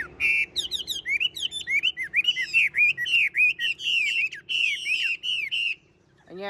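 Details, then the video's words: Caged, tame Chinese hwamei singing a long, clear, rich phrase of rapid whistled notes, each arching up and down, delivered almost without pause before a sudden stop. "Họa mi thuần đét đẳng cấp hót như máy bộ cực đẹp lắc lồng vẫn hót"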